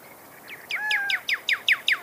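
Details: Pyrrhuloxia, or desert cardinal, of western North America: a quick series of sharp, downslurred whistled notes, repeated about five times a second and growing louder, with a steady, drawn-out whistled tone and a lower parallel tone overlapping the middle.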